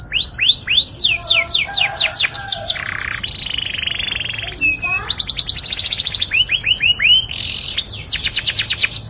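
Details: Canary song meant to stir females toward mating, a fast mix of repeated falling whistles, short rattling rolls and brief lower notes, delivered loudly and continuously.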